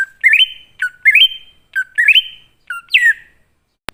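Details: Wild-type greater green leafbird song used as a lure for newly caught or non-singing leafbirds: rising stepped notes ending in drawn-out whistles, four phrases, the last one sliding downward, then a single click.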